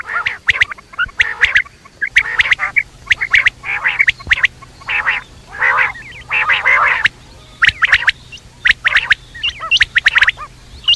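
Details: Quail night calling: dense, fast series of sharp clicks mixed with raspy churring bursts, continuous throughout.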